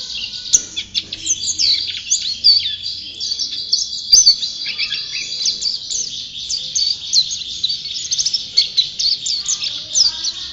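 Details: Champion white-eye (pleci) delivering extended chatter: high, rapid twitters and sharp clicks, a couple of faint ticks, song running almost without pause.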